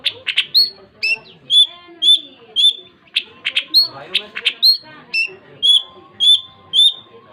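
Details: Long-tailed shrike singing energetically: clear whistled notes near the top of its range, repeated about twice a second and broken by harsh, scratchy bursts. The background is quiet.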